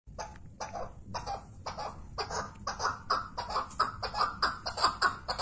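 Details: Chukar partridge calling in a rhythmic series of harsh, clucking chuck notes, about one and a half per second, growing louder and more insistent toward the end.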